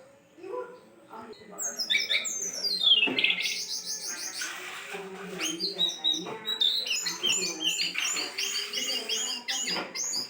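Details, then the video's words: Lure recording of the jongkangan: long, busy high twittering with rapid chirps, trills and quick downslurred whistles. These run almost continuously over faint low droning tones. "pancingan burung jongkangan"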